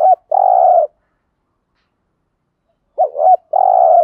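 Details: Spotted dove cooing in thổ voice to encourage decoy doves to coo: the tail of one phrase ending in a long coo, then after a pause a fresh wavering double note and sustained coo.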